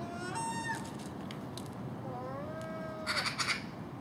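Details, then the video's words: Early in the morning at a house, a common gull, with magpie and crow, feeds on garbage put out overnight, giving thin, mewing, sliding calls, then a brief burst of harsh chattering from another bird. "Common Gull Magpie and Crow making noise"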